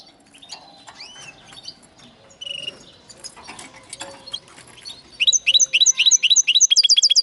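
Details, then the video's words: Linnet x canary hybrid: mostly quiet scattered chirps and faint background, ending with a loud burst of fast repeated high notes, a clipped trill delivered about four per second. "Linnet x canary φανετο χ καναρα"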